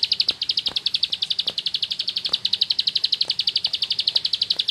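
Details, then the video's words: Ngebren-style song from a rice-field bar-winged prinia: a continuous stream of high, clipped chirps repeated about four times a second for the whole stretch, with occasional soft clicks. "Suara Burung Sawah Receh Nembak Ngebren // Ciblek Sawah"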